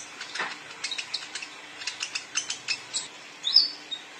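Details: Young male sunbird in lively song, giving a steady series of short, very high ticking chirps about every quarter second, ending with a brighter thin whistle.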